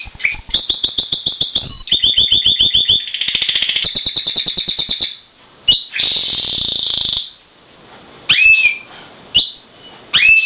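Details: Male Timbrado canary in a breeding cage singing to an unresponsive new hen: fast repeated chirping trills, a warbling rolled passage, a bright sustained trill, then quieter pauses broken by short whistled notes.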